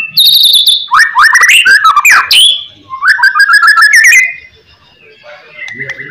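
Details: White-rumped shama singing as a master song to bring answers from other shamas: a sustained high whistle, loud swooping phrases, a rapid chattering trill, then fading to a soft whistle.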